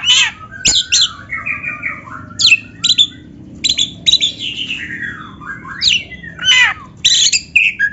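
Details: Oriental magpie-robin singing a varied training song: descending slurred whistles, scratchy high bursts and wavering notes flow almost continuously, with a sharp click early on and a faint low background hum.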